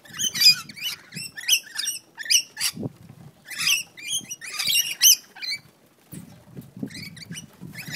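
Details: Rainbow lorikeets in a squabble outside a house, Central Coast, New South Wales: thin, scratchy squeaks and chattering screeches in quick bursts, softer than before, with low thuds and rustling of scuffling birds.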